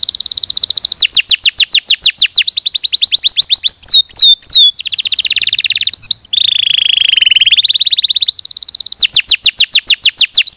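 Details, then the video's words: Canary singing on a training recording for other canaries: long, rapid trills of repeated chirps broken by swooping whistled notes and a steady, slightly wavering buzzy trill, loud and clean. "Masteran Kenari 100% Suara Jernih"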